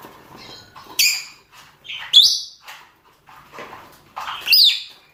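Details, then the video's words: Lovebirds, rosy-faced and Fischer's of both sexes, calling for a mate: three loud squawks about a second apart, the last rising and falling, with low chattering between. "نداءات ذكور وإناث طيور الروز والفيشر من أجل التزاوج"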